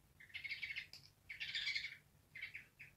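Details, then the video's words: Angry African grey parrot making harsh, noisy squawking bursts, two long raspy outbursts followed by short clipped barks, against a low background hum. "AFRICAN GREY - barking angry bird"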